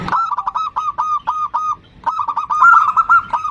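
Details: Female zebra dove calling a male, two quick rolling trills of soft, repeated cooing notes split by a short pause, fairly clean background.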